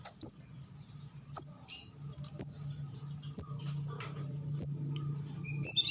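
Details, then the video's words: Juvenile orange-headed thrush begging call, used as a lure to catch birds: sharp, very high single chirps repeated about once a second, six in all, with a faint low hum beneath. "suara pikat anakan burung kemade jawa/ ndas abang"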